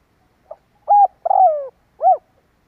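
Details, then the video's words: A spotted dove, recorded as a lure to draw in wild doves, gives one phrase: a faint pip, then a short coo, a long, downward-sliding middle coo and a rounded final note. "Tiếng chim cu gáy kích bổi"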